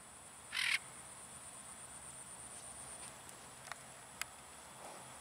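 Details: One military macaw in free flight lets out a brief, hoarse, grating screech right at the start, followed by quiet outdoor ambience with a couple of faint clicks.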